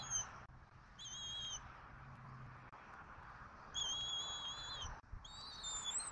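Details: Bald eagles, an adult female, adult male and eaglet, at dinner time on their Southwest Florida nest, 14 February 2024, recorded by a nest camera. Several high, thin, wavering whistled squeals, separated by pauses, over a steady noisy background.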